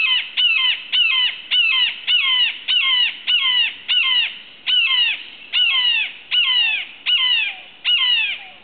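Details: A red-shouldered hawk calls from a perch in the wild near Suwannee River State Park, Florida, on a July 2011 morning while hunting and preening. Thirteen loud, ringing, descending screams come in a steady series, roughly one every two-thirds of a second.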